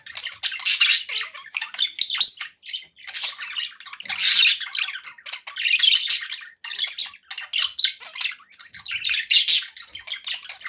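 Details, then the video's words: Budgerigars kept as pets chirp continuously, a steady stream of scratchy, buzzy warbles and sharp squawks in loose phrases about every second or two. "9 hours of budgie sounds to keep your pets in happy bird company"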